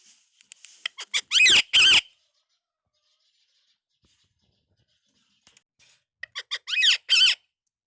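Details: Talking Indian ringneck parakeet kept as a pet: a burst of rapid clicks leads into two loud, rough, voice-like syllables, then silence for several seconds before the same click-and-phrase pattern repeats.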